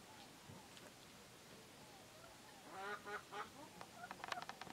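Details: African goose of the domestic type giving a quick run of nasal, harsh honks about three seconds in, followed by sharper clipped notes near the end, over low background noise.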